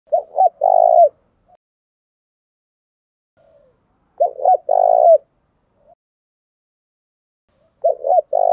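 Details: Spotted dove, a decoy bird whose 'thổ bầu' style voice is used to lure wild doves, giving three cooing phrases about four seconds apart, each a couple of short stuttering notes, then a long rolling coo and a falling end note.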